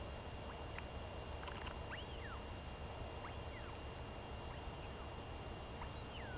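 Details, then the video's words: Royal albatross chick calling eagerly to its mother for food as she comes home after a week at sea, 23 May 2021; faint clicks, then arching rise-and-fall whistles repeated irregularly under steady wind. "Royal Albatross ~ Beautiful LGL Comes Home & Gives A Good Feeding To A Very Vocal Tiaki!"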